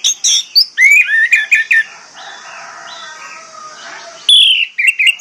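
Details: Lure song of an orange-headed thrush for training silent birds to sing: rapid, loud whistled and slurred phrases, a soft warbling interlude, then a strong clear whistle followed by brisk chipping notes over a constant hiss.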